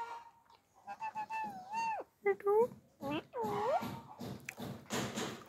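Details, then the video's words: Pet parrot talking, mimicking human speech in short, high, tonal phrases with sliding pitch and clear pauses between them, followed by harsher noisy bursts near the end. "parrot talking mittu"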